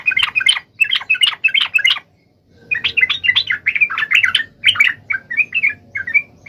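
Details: Sooty-headed bulbul singing at full strength to call a rival: two bursts of bubbly, chattering notes at mid-high pitch, a short silent gap between them, and faint low background hum.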